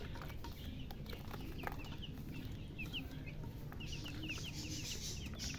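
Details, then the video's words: Young chicks giving sparse, short, high peeps, a few at a time, over a strong low hum and a patch of hissing noise near the end. "Witty MURGI Baby "Chicks Chirping" Sound"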